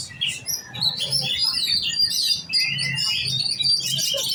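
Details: Caged oriental magpie-robin of the giras type, trained for song competition: a dense, continuous run of varied whistles, chirps and buzzy notes, mostly high-pitched, with brief quick phrases; low background hum underneath.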